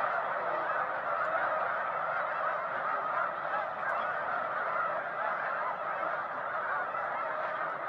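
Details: A lake covered in Snow Geese: a dense, unbroken clamor of countless birds, their high, nasal honks overlapping into a steady roar that never pauses.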